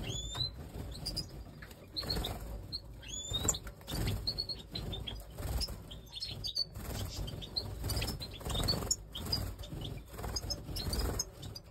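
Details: Major goldfinch, pied and white-headed, singing a lively extended twitter: rising whistled slurs, rapid tinkling notes and buzzy bits repeated in bursts, against constant low rumble and occasional clicks.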